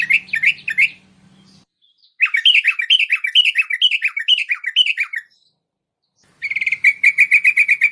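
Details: Bulbul (merbah) sound used to attract wild bulbuls: chattering sequences of descending, slurred chirps repeated quickly, then a brisk run of sharper even notes after a short silence.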